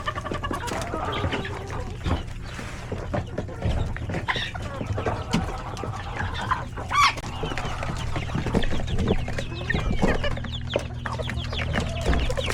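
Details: Coop full of chickens, roosters and chicks at hectic lunchtime; constant overlapping clucks, peeps and pecking taps, a faint hum running underneath.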